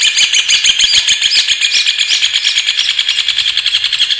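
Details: Loud, close Rufous hornero singing: a rapid, rattling stream of sharp notes, several per second and uneven, with no pause.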